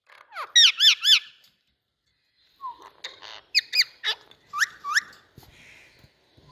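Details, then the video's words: Indian ringneck parakeet with three loud rippling squawks in quick succession, a pause, then scattered sharp chirps and short shrill notes, indoors and close. "Indian Parrot Sounds Noise"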